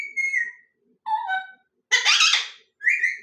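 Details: Parrot produces four separate calls: a flat whistle, a falling whistled note, a loud harsh squawk and a final rising whistle.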